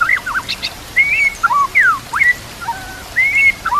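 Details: Murai batu, the white-rumped shama, singing on a recording meant to train other shamas: separate whistled phrases, some slurred upward, some sliding down, with brief pauses between them and a quiet background.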